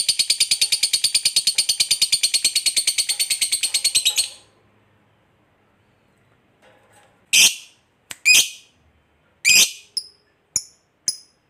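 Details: Fighter lovebird ending a long ngekek trill meant to provoke other lovebirds: four seconds of rapid, harsh, pulsed chatter, then silence followed by several isolated sharp, shrill squawks.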